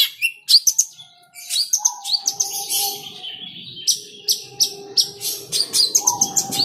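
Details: Pet long-tailed shrike (cendet), aggressive when provoked, gives scattered sharp high chirps and short chattering runs. A steady whistled tone and a faint low hum sound behind it.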